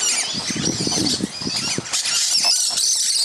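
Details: Musk lorikeets feeding in a tree, fruit dropping, on Christmas morning; roughly twenty birds present. Shrill, scratchy screeching chorus throughout, over soft low thumps and rustling.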